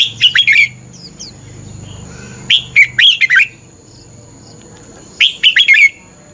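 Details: Red-whiskered bulbul morning fighting song, three bursts of fast, bubbling whistled notes about two and a half seconds apart, with a low hum between phrases.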